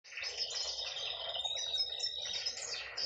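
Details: A hen canary, a female, sings a dense, high, rolling warble of fast trills and sweet whistled notes that runs without pause for about three seconds.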